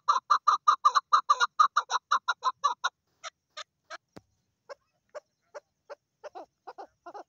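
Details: Female Chukar partridge calling: about three seconds of loud, rapid clucking chuk notes, then the series turns sparse and fainter, with single scattered notes and a soft click.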